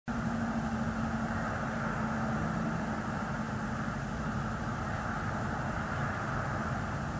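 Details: Steady roaring engine or aircraft noise with a low droning hum throughout, and no animal voices.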